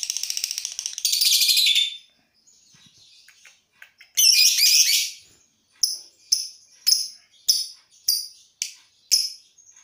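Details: Lovebird doing ngekek, long trilling practised before a song contest to train its breathing: two harsh buzzy high trills, a pause, another buzzy burst, then short sharp chirps repeated about every half second.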